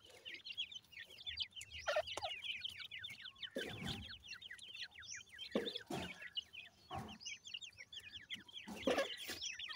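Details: Several grey francolin chicks (Pakistani teetar) out in natural surroundings give steady overlapping streams of short, high, rising cheeps, broken by occasional dull knocks and rustling thumps.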